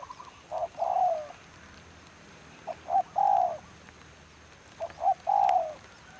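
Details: Three full phrases from a spotted dove decoy in rainy weather, each made of two clipped notes rising into a long, descending croo, spaced about two seconds apart with quiet between.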